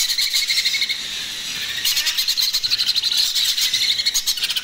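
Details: Baby macaw begging at feeding time: a rapid run of high, squeaky, pulsing cries repeated steadily for the whole stretch, with faint rustling beneath.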